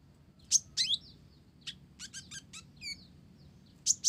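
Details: Olive-backed sunbird (konin blorok) mixing Java sparrow phrases into its song: sharp high chips, a cluster of quick rattling notes, a wavering descending trill, then two final piercing chips.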